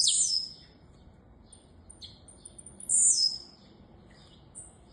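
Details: Saffron finch (canário-da-terra) giving two loud, high buzzy phrases, one at the start and one near the middle, with faint softer chirps between them and a low steady background murmur.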